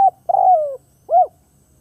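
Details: Spotted dove decoy cooing to attract wild doves. A clipped note at the start is followed by a long mellow coo falling in pitch and a short rounded final coo. Background is otherwise quiet.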